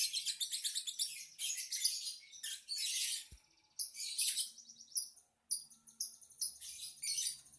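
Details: Lovebird chattering: dense, shrill, high twittering in bursts of one to two seconds separated by brief pauses, continuing throughout.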